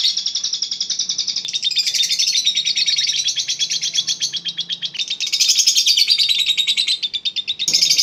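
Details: Eagle Head lovebird, a caged bird-farm champion of Indonesian singing contests, giving its long ngekek chatter; continuous rapid, shrill, rattling trills without pause, surging louder in bursts, with a knock near the end.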